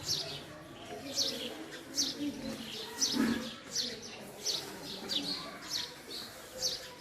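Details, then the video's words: A male house sparrow repeats brisk high chirps about every half second, with one low soft coo heard in the background near the middle. "Call Of Male House Sparrow"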